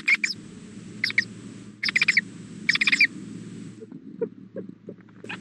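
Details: Owl at a nest during hatching, the female calling to her mate one afternoon at 3:20 pm; clusters of sharp, raspy chirps repeated about once a second, followed by fainter ticking and clicks against a low background hum.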